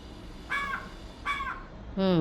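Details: A talkative house crow that calls all day at a window where it is fed gives two harsh, nasal caws about three-quarters of a second apart, then a person starts speaking indoors.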